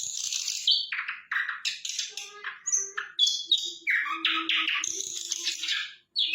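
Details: Sikatan londo flycatcher singing vigorously, a fast, scratchy, warbling stream of high notes and descending slurs, with a faint low steady tone beneath part of the phrase.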